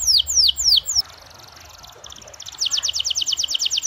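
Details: Energetic canary singing in the 'cengkok mewah' style, meant to prompt other canaries to sing: three slow high downslurred whistles, a soft rattling pause, then a quick run of repeated falling notes.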